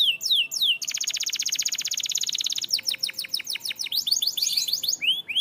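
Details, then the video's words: Canary singing a training song: quick downward-sweeping notes, then a long, fast, even trill, then more rapid repeated slurred notes ending in rising whistles. Clear, high-pitched, with little background noise. "Super Active Canary Singing Makes Your Canary Sound"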